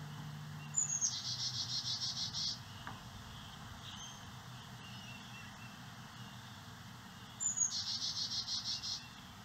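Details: Carolina Chickadees bringing insect eggs and larvae to nestlings at a birdhouse in St. Cloud, Osceola County, over native plants. Two calls several seconds apart, each a thin high note then about ten buzzy, rapidly repeated dee notes over a low hum.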